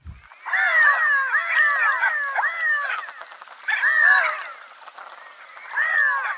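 Redheads giving nasal, cat-like mewing notes that rise and fall, overlapping in three quick bursts over a few seconds.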